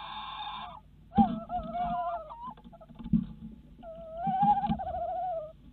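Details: Tawny owls at a Netherlands nest site, evening 7:54 pm, 26 February 2016, as the male brings a mouse: drawn-out, mid-pitched hooting notes, the last long and wavering, with dull knocks and thumps between calls.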